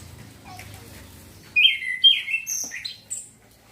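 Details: Young male chestnut-capped thrush practising continuous song, used as a lure for young birds; after quiet low hum, a short run of loud slurred whistles, each dropping in pitch, then a high thin note.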